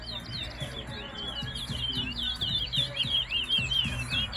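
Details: Large-billed seed-finch (towa towa) singing during a West Side, Guyana competition. Dense, rapid series of sweeping whistled phrases, repeated quickly, over faint low background sounds.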